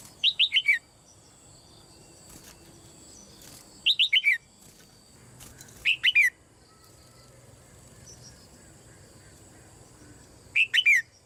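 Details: Female red-whiskered bulbul kept in a cage, calling to encourage other birds to sing: four short phrases of three to four rapid, descending whistles spread across the recording, with faint clicks and rustles between.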